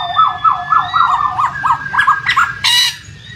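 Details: Lure song of a laughingthrush, played to get a quiet bird singing: a string of quick repeated whistled notes, about four per second, ending in a short harsh burst, with a low water rush behind.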